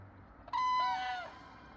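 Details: Common crane, one of several near Hochwald in the Masurian forests of former East Prussia, Poland, gives one loud, rolling trumpet note under a second long, dropping slightly at the end, over a quiet outdoor background.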